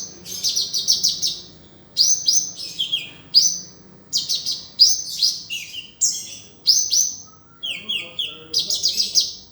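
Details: Sunbird (kolibri) song for tutoring other songbirds: bright, high-pitched chattering phrases of quick descending notes, repeated in bursts every second or so with brief pauses, clear and loud with no other sounds.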